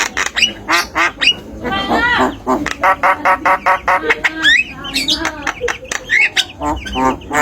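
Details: Talking tame Javan myna kept as a tutor bird: a rapid string of nasal, quacking syllables like imitated speech, broken by short rising whistles and raspy notes.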